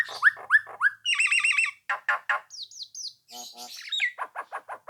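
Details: Nias hill myna singing continuously to make rival birds answer: rising whistles, a trilled rattling phrase, harsh buzzy notes, three high descending slurs, then a string of short chattering calls.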